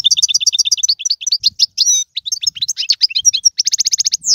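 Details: Algerian goldfinch song in tiwawati, galoubi and serfati styles, used to teach young birds: steady repeated twittering notes, fast varied chattering phrases, then a dense buzzy trill and a downward slur.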